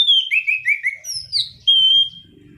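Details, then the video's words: Energetic song of a Black-throated laughingthrush, played to lure and tutor other birds: four quick descending slurred whistles, a higher downslurred phrase, then one long clear level whistle over faint low rumble. "Anis Cendana Kicauan Gacor Ngerol"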